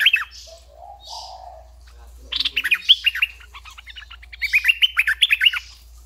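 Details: Red-eyed bulbul decoy bird delivering a long, rambling run of rapid, jerky warbled notes after a quieter start. A steady low hum runs underneath.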